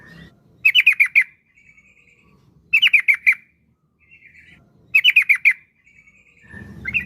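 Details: Yellow-vented bulbul (trucukan) song used as a lure: three bursts of five sharp chattering notes about every two seconds, each followed by a thin faint trill.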